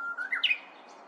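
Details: Korean bush warbler moving restlessly about in bamboo: a clear whistled note rises steadily, then breaks into a quick, higher, slurred flourish that ends abruptly. Faint background hiss.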